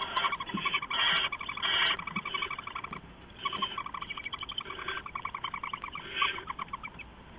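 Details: Owls at night, an adult flying in and out and giving rats to owlets, 4:31–4:40 AM on 15 November 2015: harsh, rasping bursts with layered overtones come in quick runs, several per second, with short pauses between groups.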